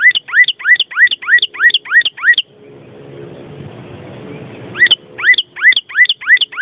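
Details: Vermilion cardinal repeating paired whistled notes, a high tip and a lower rising slur, about three per second. A gap of two seconds holds only low background rumble before the series resumes.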